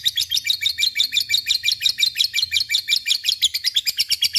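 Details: Chattering ngekek of a lovebird, meant to prompt silent birds to sing: an unbroken, rapid string of high, scratchy notes, roughly seven each second, steady and loud throughout.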